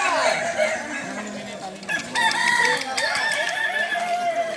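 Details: At a Sawahlunto crowing contest final on 16 July 2023, several Kokok balenggek roosters overlap their drawn-out, multi-stepped crows, one clear wavering crow standing out near the middle over a constant chorus.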